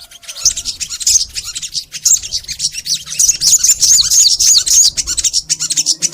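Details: Crimson sunbird singing continuously in a master recording to get sunbirds singing: dense, fast, high-pitched twittering and trilled chips that barely pause across the whole stretch.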